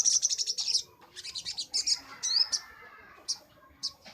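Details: Master recording of a crimson sunbird for training birds: rapid high-pitched buzzy notes in quick runs, a rising sweep, then scattered sharp single chips with quiet gaps between them.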